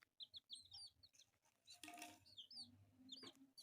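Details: Pet chicks, four of them and brightly coloured, chirp in short high peeps scattered among loud scratchy rustles and bumps, with a burst of broad noise midway.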